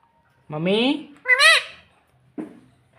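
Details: Pet parrot talking "mummy papa" in a shrill, nasal voice: two drawn-out, wavering words in quick succession, then a short clipped syllable after a pause, with nothing else heard.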